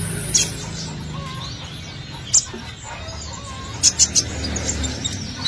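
Thin, very high sunbird chirps in brief bursts, a few seconds apart, some paired or in quick triplets, over a soft steady background hiss.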